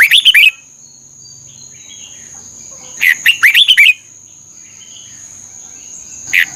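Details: Red-whiskered bulbul from Thailand, song used to train or excite caged birds: short bright phrases of quick rising and falling whistled notes, one at the start, another near three seconds, a third beginning at the end, over a steady high whine.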